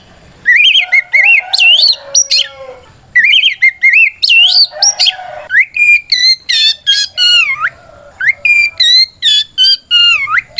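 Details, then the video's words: Loud fighting song of a white-rumped shama, used as a lure to goad other shamas into replying; varied fluting whistles, swooping up and down, delivered in a long, dense run of short phrases. "Suara Burung kacer gacor NGEPLONG tarung ini paling ampuh buat PANCINGAN KACER agar EMOSI Nyaut"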